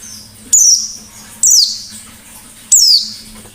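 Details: White-eye singing in ngalas style, a forest-type song used as a lure for other birds: three loud, high squeaky bursts sliding downward, spaced about a second apart, over a faint low hum.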